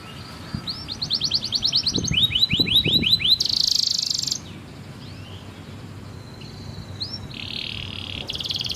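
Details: Canary in full song, used as tutor song for young and silent canaries: a run of rapid arched whistles, a lower series of sweeping notes, a fast high trill, then softer slurs and buzzy rolls.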